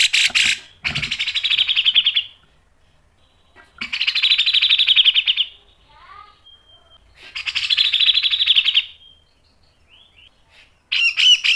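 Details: Grey-cheeked bulbul giving tajam mbeset song for masteran training, with long harsh trilled bursts recurring about every three and a half seconds and a few soft thin whistles in the pauses.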